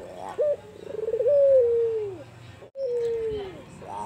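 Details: Two drawn-out, soft, low coos from an albino Barbary dove singing emotional 'kuwor besar'. Each starts with a brief rolled note and then glides slowly downward, with a short pause between them.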